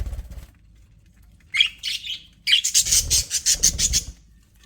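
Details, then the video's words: Happy pet budgies in an aviary chirping: a few short scratchy notes, then a rapid run of buzzy, pulsed chirps, over a faint low hum. "HAPPY BUDGIES SOUNDS"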